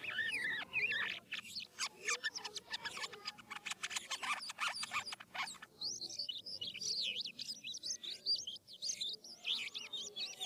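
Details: Philippine Asian glossy starling singing to lure other starlings to answer: a long, rapid run of sharp clicks and chattering, then a stretch of high, wavering looped whistles.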